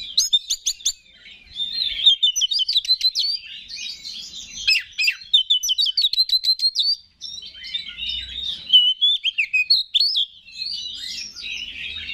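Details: Oriental magpie-robin, a caged songbird used for contests, singing to provoke other males into singing: rich, varied phrases of whistles, chatters and sharp repeated notes, delivered fast and continuously with brief pauses, fairly loud and clear.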